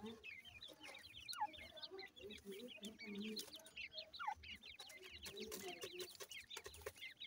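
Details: Many short upslurred cheeps from grey francolin chicks being fed, dense and overlapping, with clicks and a low background murmur.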